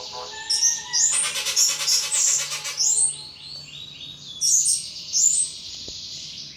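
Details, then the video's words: Caged Indonesian pet thrush singing nonstop: a dense, rasping burst of high chatter, then a string of descending whistled slurs and another bright twittering phrase, loud and energetic. "Burung Anis "Ronggeng" Ngeplong Mabok berat"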